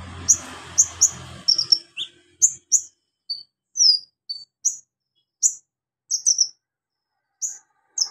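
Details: Javan magpie-robin singing actively, a song containing lovebird, golden grasshopper and cricket imitations meant as tutor material: scattered high, sharp chirps and short downslurred notes spaced by brief silences, faint rumble early on.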